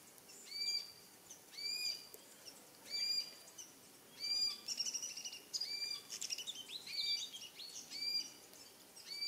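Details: Glossy Black-Cockatoos in East Gippsland forests that survived the 2019–2020 fires, 2020, giving short, wavering, slightly creaky calls about every second and a half, then overlapping as several birds call together.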